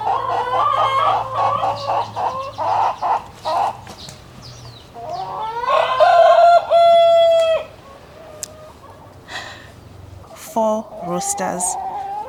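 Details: Four backyard roosters on an urban Johannesburg homestead crow over one another, crowing nonstop from 5 AM, each a harsh, stretched cock-a-doodle-doo ending in a long held note, with clucking and a person's voice between; chicken.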